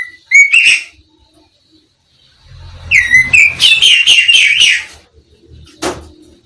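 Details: Kacer, the black-breasted Oriental magpie-robin native to East Java and Bali, gives sweet slurred whistles followed by a burst of fuller, warbling notes, with pauses and a faint low hum beneath.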